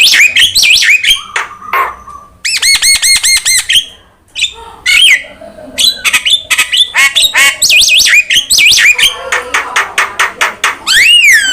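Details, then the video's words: Myna song used for training and prompting caged songbirds: loud, varied whistled phrases, some rising and falling sweeps, dense runs of stacked rattling notes, and harsh squawks, delivered almost continuously with short gaps. "PANCINGAN DAN MASTERAN BURUNG JALAK"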